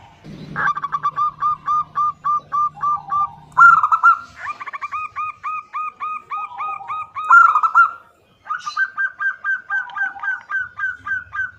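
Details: Local zebra dove, a female calling the male, gives long runs of quick, evenly spaced soft cooing notes broken by louder rolling trills. A low steady hum sounds under the opening seconds, and a brief pause comes before the final run.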